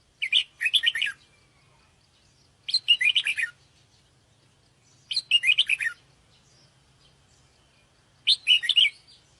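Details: For attracting birds, a sooty-headed bulbul delivers four chattering bursts of rapid notes, each under a second, repeating about every two and a half seconds above a soft low hum.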